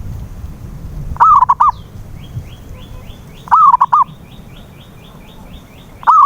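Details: Zebra dove, local perkutut, used as a lure call to prompt a mute dove into song; low mellow coo phrases, one long wavering note and short follow-up notes, with a faint high rising chirping from another bird between them.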